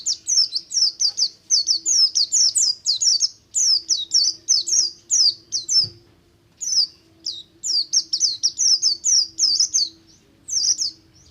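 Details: Buxtomi oriental white-eye singing ngalas to encourage group-kept white-eyes to sing: long, dense sequences of piercing high down-slurred chirps, steadily repeated, broken by one short pause near the middle.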